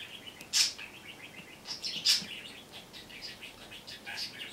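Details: Pet budgerigar, excited by the camera, sings its own soft, chattering high warble, broken twice by short, sharp coughs that imitate a human cough.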